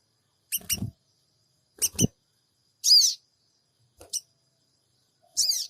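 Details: Sooty-headed bulbul 'cingik cingik' lure call, recorded on an Android phone in Purbalingga, Indonesia: high, squeaky chevron-shaped notes at irregular intervals, mixed with low thumping handling knocks.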